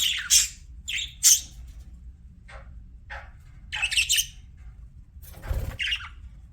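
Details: Budgerigar pets chirping in short separate bursts: sharp high squeaks and rasping chirps spaced by pauses, with a brief rustling thump late on.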